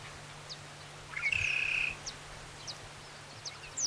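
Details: Loud, level whistle of a scarlet-headed blackbird lasting under a second, preceded by a short rising lead-in note, with scattered faint chirps and a low hum behind.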